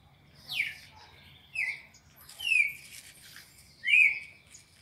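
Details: Red-crested cardinal, captive, Brazil, classic four-note song sequence used to train captive birds: loud clear downslurred whistles sweeping from high to about mid pitch, one phrase roughly every second, with faint low background hum.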